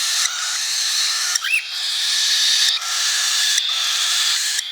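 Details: Baby cockatiel begging while being hand-fed, March 2021: a continuous harsh, raspy hissing drone broken by brief pauses, with one short rising squeak in the middle.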